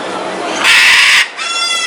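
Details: Scarlet macaws talking and screaming in a flock: a rough buildup leads into a loud, harsh half-second scream, then a second, shorter screech with a strongly banded, nasal tone that cuts off sharply.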